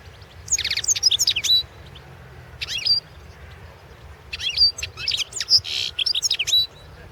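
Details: Goldfinch competition song from the 2016 world championship: quick tinkling twitters and ringing whistled notes in two dense bursts, with a short isolated phrase between and a soft background hum.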